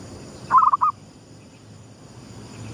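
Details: At sunrise, a zebra dove gives a gedong mengo lure coo, one short phrase of quick rolling low notes followed by two separate coos, then quiet hissing background.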